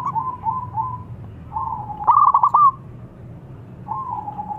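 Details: Young local zebra dove kept as a lure bird, singing with a thick voice: soft, slurred coos, then a loud, rapid rolling coo phrase in the middle, followed by another soft drawn-out coo.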